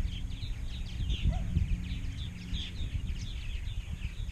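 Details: Purple martins at a large colony in Rainsville, Alabama, which held 920 to 930 pairs the previous year; dense overlapping chirps and gurgles run continuously with no gaps, over a strong low rumble of wind or handling noise.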